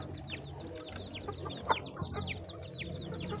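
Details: Chickens eating, several birds giving quick descending high peeps in a steady stream over low background rumble and a soft knock.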